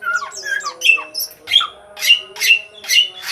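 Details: Energetic sooty-headed bulbul song played as a lure for untrained birds: a jumble of harsh chattering notes, then four bright, emphatic notes repeated roughly every half second, over a constant low background hum.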